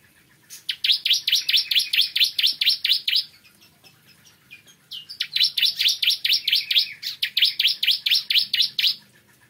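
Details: Bar-winged prinia singing in the morning in two long, dense runs of rapid, loud repeated notes, each around three to four seconds, separated by a short gap with a few faint notes.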